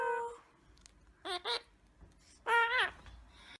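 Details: Indian ringneck parakeet talking and saying peekaboo: two short voiced bursts, a quick double syllable and then a longer, louder harmonic word with a wavering pitch, set in a quiet room.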